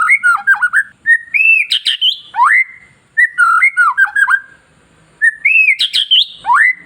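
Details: Caged long-tailed white-rumped shama, song played to excite other shamas: repeated rich whistled phrases, wavering fluty notes ending in a sharp upward sweep, each phrase separated by a brief silence.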